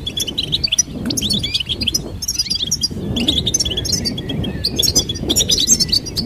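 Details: Goldfinch twittering in busy, high, bell-like phrases with short gaps, over steady low rumbling background noise.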